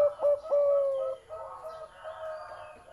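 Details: Big-voiced zebra dove singing two or three quick clipped notes, then a long steady ringing coo. Softer, fainter trailing notes follow.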